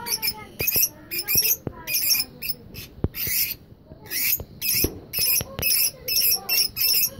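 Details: Lovebirds (lutino, albino and Fischer's types) give shrill, screechy chirps in quick bursts, roughly two or three a second, with sharp clicks and taps between them.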